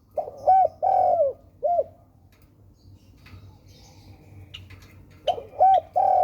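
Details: Spotted dove calling: soft, low cooing notes in short groups, each a hollow rising-then-falling coo, with a long pause between groups and faint low background hum.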